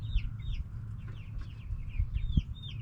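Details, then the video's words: Backyard hens and roosters calling as a group; short high downslurred notes repeat and overlap across the clip over a steady low rumble of background noise. "Back yard chickens making noise🐓 Relaxing sounds of hens and roosters"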